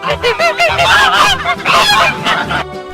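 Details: Several geese honk rapidly and overlap, a busy run of nasal, rising-and-falling honks that fills nearly three seconds before stopping, with soft background music underneath.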